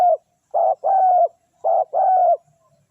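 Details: Spotted dove, tekukur, calling to lure wild doves: two cooing phrases, each a short coo followed by a longer level coo, clean and loud with no other sounds.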